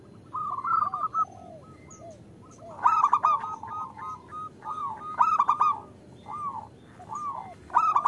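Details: Female zebra dove calling a male, used to tempt males to sing: short bursts of quick coos and lower curling notes, separated by pauses, with loud rough stuttering notes recurring every couple of seconds.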